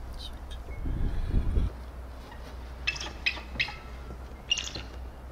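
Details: Bald eagle (Haliaeetus leucocephalus) in Alaska calling: several thin, high chittering squeals about half a second to a second apart, over low rumbling wind and handling noise.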